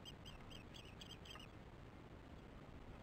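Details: Osprey at its nest sounding alarm while feeding chicks, 22 July 2015, 19:08, before the adult flies out; six quick, thin chirps in a burst lasting about a second and a half over steady low rumble.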